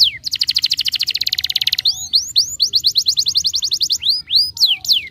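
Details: Canary song played to stimulate young canaries to sing: a fast buzzy trill of rapid repeated notes for nearly two seconds, then a series of bright whistled upslurred and downslurred notes and a further quick rattling trill.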